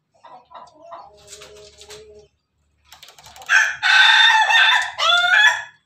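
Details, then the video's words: Pelung chicken, described as a Bangkok-type Pelung rooster, crowing: soft low clucks first, then a loud harmonic, wavering crow in segments after a short pause, ending with a falling note. "ayam pelung Bangkok ketawa"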